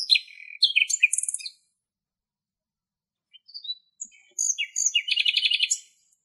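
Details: Wild common nightingale singing in Greek nature: high rapid trills and buzzy rattled phrases, a pause, then a few soft notes and another fast rattling strophe.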